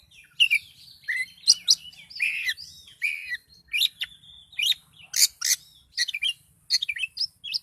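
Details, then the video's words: Excited Oriental magpie-robin song made of loud, varied whistled phrases with harsh, broad chattering bursts, delivered in short spurts separated by brief pauses. "Kacer Gacor Kicau Door Lanjut Emosi Tingkat Tinggi"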